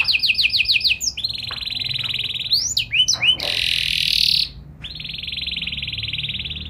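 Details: Canary in steady song with a special melodic style. Quick repeated notes lead into a long buzzy trill, a few slurred chirps and a harsh rattle, then another extended even trill.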